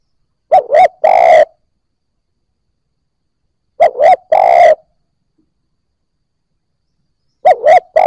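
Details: Spotted dove cooing to encourage newly caught birds to coo: a low, mellow three-part phrase, two quick notes and a longer coo, repeated three times at roughly three-second gaps.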